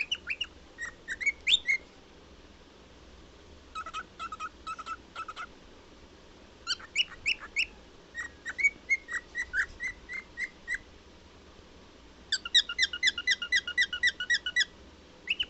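A cockatiel sings in bursts of bright whistles and sharp chirps, with brief pauses between phrases.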